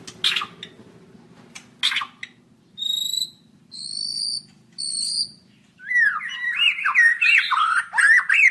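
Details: White-rumped shama (murai batu) song: short loud bursts, then clear whistled notes in stacked triplets, followed by rapid warbling, swooping phrases with rising and falling notes; faint low hum underneath.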